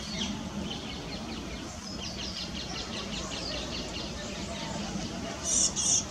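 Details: Great tits feeding on seeds while still feeding fledglings: thin, high begging chirps about three a second over a low background rumble, ending in two louder, harsh hissing bursts.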